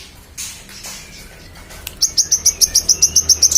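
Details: Energetic Magpie-robin song serving as tutor material for contest birds: after a faint, noisy start, a crisp run of evenly spaced high chirps, roughly four each second, continues to the end.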